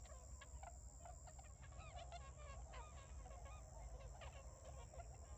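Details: Tundra swans calling energetically just after arriving at paddies around Ochigata, Hakui, early November 2022; a dense, busy chatter of short honks and yelps from many birds over a low steady rumble.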